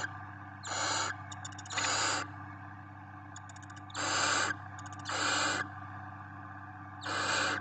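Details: Barn owls, with chicks, at a nest filmed by a live nest camera in Ávila give broad, harsh rasping hisses, each about half a second long, in an irregular series, with faint ticking between them and a low steady hum beneath.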